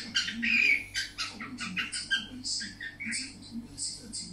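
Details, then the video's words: Budgerigar singing indoors: a stream of scratchy clicks, chirps and one clear whistled note early on, all jumbled in a fast chattering warble over a low hum. "Kiwi singing"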